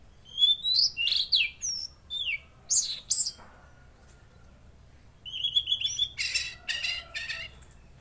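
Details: Energetic singing of a tledekan laut (mangrove blue flycatcher): a rapid series of sharp, high chirping phrases, a brief pause, then a buzzy, trilled high passage.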